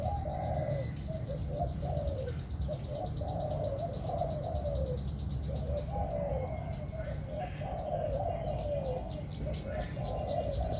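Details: Pigeon in a cage, producing continuous soft rolling coos in a long series, over heavy low rumbling noise and a steady high insect-like buzz.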